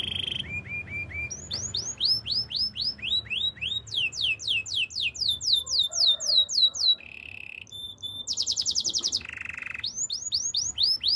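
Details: Master canary in full song for training: runs of swooping whistled notes, a fast series of sharp descending strokes, then short buzzy rolls and a bright high trill before the swoops return.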